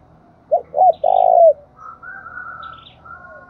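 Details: Decoy spotted dove cooing once: two short hollow notes, then a long throaty coo that slides down at the end, followed by a faint thin whistle from another bird.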